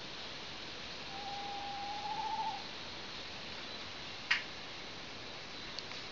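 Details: An owl gives one drawn-out whistled hoot lasting about a second and a half, steady and then slightly rising, followed later by a single sharp click over a constant hiss.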